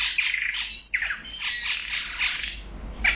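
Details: Brahminy starling couple, male and female, in Kuwait: busy, scratchy chatter mixed with short high whistles, running almost without pause.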